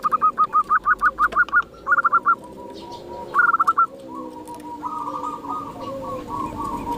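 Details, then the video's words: Wild zebra dove giving rapid staccato cooing notes, about a dozen in quick succession, then shorter bursts of three to five, fading into a softer, sustained purring coo with another bird murmuring low behind. "Perkutut liar"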